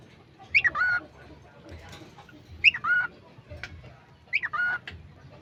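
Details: A talking cockatiel repeats "peekaboo", a swooping squeak then a steady nasal note, about every two seconds.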